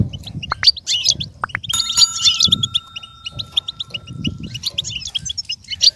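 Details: Goldfinch song for a goldfinch to learn from: lively high twittering and chirps. A steady, ringing chime-like tone sounds underneath for several seconds, with soft low background noise.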